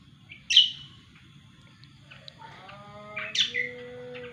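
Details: Cucak kombo, described as gacor, gives two loud, harsh, buzzy high notes. Between them comes a run of long, steady whistled tones that hold pitch, over a faint low hum.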